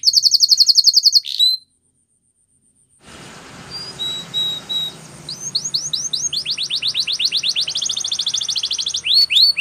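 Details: Canary training song opening with a rapid high trill, then silence, followed by scattered thin whistles and a building series of rapid rising notes.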